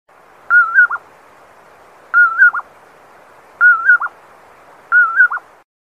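Four clear whistled 'poor-will-ip' phrases, each a level note, a slurred dip and a quick final note, repeated about every one and a half seconds against a quiet background.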